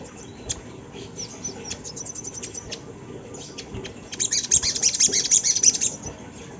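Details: Sunda laughingthrush song used as a lure to set other birds singing: rapid, very high thin chirps and squeaks, sparse at first, then a denser, louder run of bright twittering notes in the last two seconds over faint background hiss.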